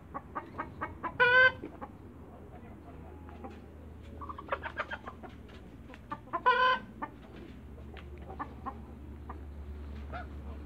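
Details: Four hybrid geese, Canada × African crosses, meeting on a farm: two loud, brassy honks about five seconds apart, with soft clucking and ticking calls between them over a low hum.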